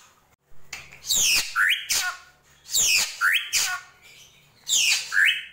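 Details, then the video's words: Drongo, locally srigunting krantil, in gentolang song: repeated pairs of harsh, loud downward-sweeping rasps ending in a short rising squeak, given in bursts about every second, with a faint low hum. "SRIGUNTING KRANTIL | GENTOLANG"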